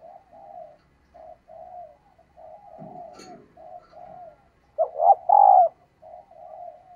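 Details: Female dove calling to excite males, giving a run of soft, hollow coos repeated roughly every half second, with two louder, fuller coos near the end and a brief clatter midway.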